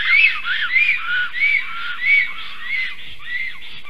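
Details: Black stork pair, male and female at their nest, defending against an intruding strange black stork, 11:42 am, 12 July 2023; a fast series of arched, whistled, slightly hoarse notes repeated about every half second, with a steady background hiss.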